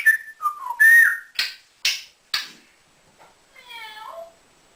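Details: Pet male African grey parrot, indoors, known for mimicking whistles, words, cat meows, dog barks and duck quacks, producing a bending whistle, three sharp clicks, then a soft wavering harmonic-rich call.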